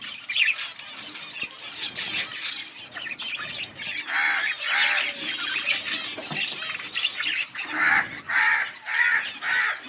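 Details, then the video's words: A budgie colony chatters loudly, with rhythmic bursts of harsh, buzzy squawking notes recurring roughly every second over continuous high twittering from many birds. "Budgies parrot chirping sounds in budgies colony"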